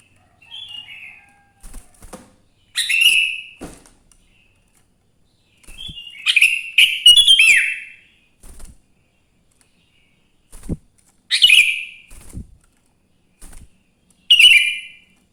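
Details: A sooty-headed bulbul sings in the morning, used as a lure for other bulbuls: irregular bursts of chattering, slurred whistled notes about fourteen times a minute, mixed with soft clicks and taps.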